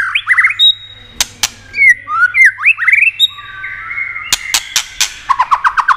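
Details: White-rumped shama in excited song used to stimulate other shamas: rising whistled slurs and high thin notes, clusters of sharp clicks, closing with rapid repeated buzzy notes.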